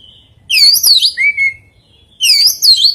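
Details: Oriental magpie-robin singing an unusual song with very rare fill-in phrases: a high sweeping whistled phrase, then a lower steady whistle, and a second bright warbling burst after a pause.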